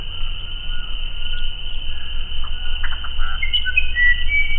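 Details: Musician wren singing: a few clear, pure whistled notes at differing pitches, mixed with short harsh chattering bursts in the second half, over a steady low hum.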